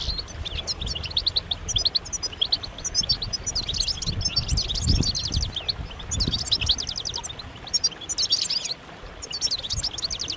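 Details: A flock of European goldfinches in mating and readiness calls to stimulate male song. Long runs of rapid, tinkling high chirps come in waves with brief pauses, plus occasional low thuds around five and six seconds.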